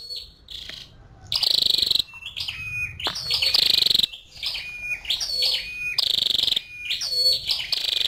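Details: Female scarlet-backed flowerpecker calling in bursts of high, thin chirps and ticking notes, with short downslurred whistles between noisy, sharp clusters; gaps of near silence separate the groups.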